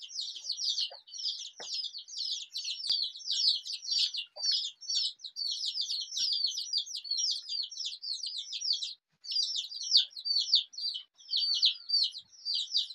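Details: A crowd of colourful Desi baby chicks keeps up constant shrill peeping, quick high cheeps sliding downward, many voices overlapping about two per second each, barely pausing, with a couple of soft knocks in the background.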